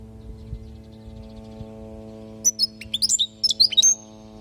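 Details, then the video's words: European goldfinch, recorded in Palestine as a teaching song for young goldfinches: after two seconds of quiet hum, a lively phrase of sharp high chirps and quick rising and falling twitters lasting about a second and a half. "حسون لغة للتعليم"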